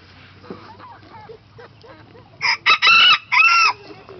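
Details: A small bantam rooster crows: a harsh, high, strained cock-a-doodle-doo of several loud bursts with rising and falling harmonics, preceded by soft human speech.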